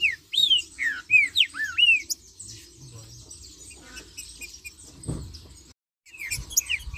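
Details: Marcheando song of a green-winged saltator: a rapid series of downslurred and looping whistles for two seconds, a quieter stretch with a dull thump, then another short whistled phrase against a high background chatter.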